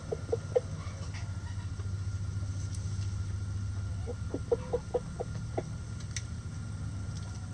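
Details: Chickens in a backyard flock: a burst of short, sharp clucks near the start, then a quick run of seven or eight rapid clucks around the middle, over a steady low droning hum throughout.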